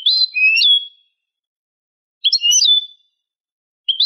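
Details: European goldfinch (Carduelis carduelis) singing a clean malaga-style song meant for young birds to learn: bright, tinkling twittered phrases with quick liquid trills, each burst under a second, about two seconds apart.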